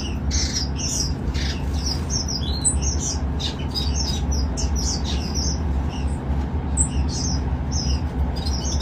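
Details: Golden finches in an open garden aviary set up for colony breeding give a busy stream of short, high, bright chirps and tweets, many overlapping, over a steady low hum.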